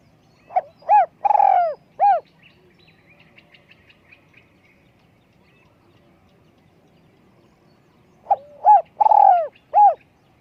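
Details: Small-voiced spotted dove for decoy luring: a phrase of short note, arched coo, long rolling coo and end coo, faint chirping during a six-second pause, then the same phrase again.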